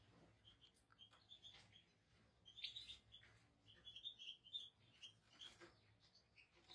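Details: European goldfinch song, a run of quick twittering and chirping notes strung together in short rippling phrases, moderately quiet, with a faint low hum underneath.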